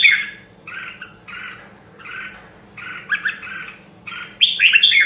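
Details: Red-whiskered bulbul of the Nam Dong, Hue strain in voice training, singing short warbled phrases roughly every half second, each a burst of fluttering, slightly buzzy notes, louder and brighter near the end, with a faint low hum behind.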